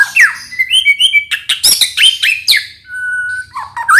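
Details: White-rumped shama song full of varied content, used as a tutor to stimulate birds that sing little: rich whistles, fast chirps and buzzy bursts tumble together, then one long steady whistle and a final rising slur.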